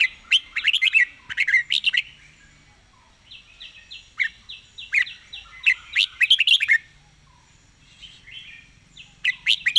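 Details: Rapid-fire 'fast-beak zone' song of a red-whiskered bulbul: dense clusters of sharp chirps and rolling warbled notes, separated by a quieter series of repeated descending whistles, the bursts returning several times.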